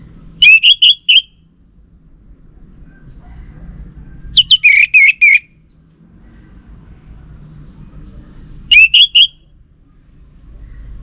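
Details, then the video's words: Orange-headed thrush lure recording used to provoke male responses: short phrases of four or five quick whistled, wavering notes, repeated about every four seconds, with a low hum between phrases. "Ga Bunyi Dengan Pancingan Burung ANIS MERAH Ini dipastikan Itu Burung Betina, Jantan Pasti Nyaut"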